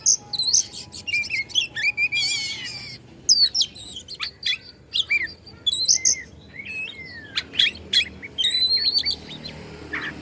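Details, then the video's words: Oriental magpie-robin from Bandung, Indonesia, singing to provoke and agitate other magpie-robins: rapid varied high whistles, sharp chips and slurred notes, a rolling trill near two seconds, then bursts of buzzy phrases. "KACER BANDUNG"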